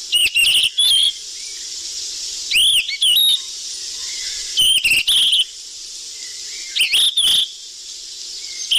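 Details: Sikatan emas flycatcher lure recording, noisy style: sharp whistled notes near the top of the range, some sliding upward, mixed with harsh broadband bursts, in clusters every two to three seconds over a steady high hiss.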